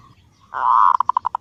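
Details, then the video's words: Luring call of a female zebra dove summoning a male: a soft opening note, then a rough swelling note that breaks into a rapid train of short clipped pulses. "suara burung perkutut betina memanggil jantan"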